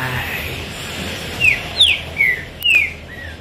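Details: Green-winged saltator kept as a cage bird, heard a little more distantly: four or five thin descending whistles over a noisier, hissy background with faint music.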